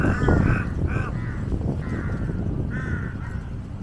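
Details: Jungle crows from a large flock gathered like vultures around a water monitor feeding on a giant snakehead carcass, waiting for scraps; hoarse harmonic caws repeat in quick overlapping bursts over a steady low rumble.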